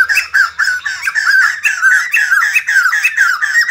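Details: White-crested laughingthrush, kept bird, singing and dancing: steady rapid series of harsh, slightly rising chattering notes, about four per second, loud and continuous.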